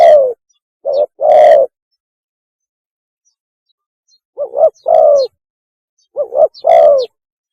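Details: Spotted dove mating call, loud and rough-edged: a short coo and a longer one, silence, then two phrases of a clipped note, rounded coo and long falling coo.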